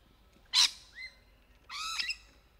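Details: Rainbow lorikeet (Trichoglossus moluccanus) giving a courtship mating call among trees: one short, loud, harsh burst, a faint rising squeak, then a longer grating, buzzy screech with layered overtones.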